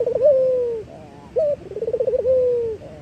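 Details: Local Eurasian collared dove singing, used as a lure for training other birds: low hooting coos, a quick bubbling trill, then a long smooth note that slowly falls, heard twice.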